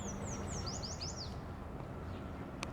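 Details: A distant, unseen Eastern Warbling Vireo singing in trees, recorded on a phone, gives a quick, high, run-on warble of slurred notes for about a second over steady low rumble and a single click.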